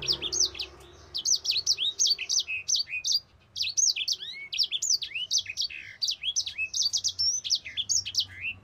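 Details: Mozambique canary singing a long rolling song used to train other birds: rapid bright high warbled phrases of chirps and quick slurred notes, in bursts with short pauses, clean and loud.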